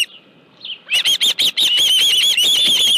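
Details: Osprey at its nest at Dunrovin Ranch with a live fish, 25 July 2018, 5:23 PM: after a near-silent start, a quick run of sharp high chirps blurs into a steady, wavering whistled call.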